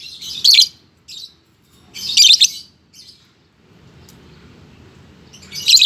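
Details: Lovebird chattering actively, loud shrill high chirp bursts in short clusters around half a second and two seconds, a brief softer note between, then a fresh burst at the end; quiet low background rumble.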